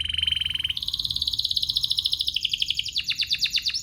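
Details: Canary song aimed at prompting other canaries to sing: a continuous buzzy, rattling roll that steps upward in pitch, then breaks into rapid, evenly spaced clipped notes.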